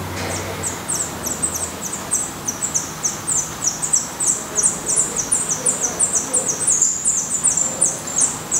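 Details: Recorded at a Portuguese black redstart nest before the young fledge: rapid, continuous high-pitched squeaky notes, each sliding downward, tightly packed across the whole stretch, with a low hum at the start.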